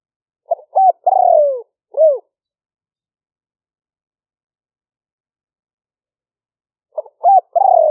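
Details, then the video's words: Spotted dove decoy song in the liu-fueang middle-voice style, recorded on a smartphone in rainy-season paddy fields, Roi Et, Thailand. One full phrase of short coos, a long sliding coo and a hooked ending, then a long silence before the next phrase starts. "หลิ่วเฟืองเสียงกลาง#5 ต่อกระโจม เสียงนกเขาใหญ่"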